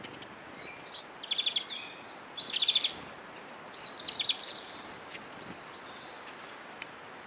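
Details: Eurasian siskins feeding at a bird table in Kolmården, Sweden: bursts of high twittering with rapid trilled notes in short groups, then quieter scattered chirps and clicks.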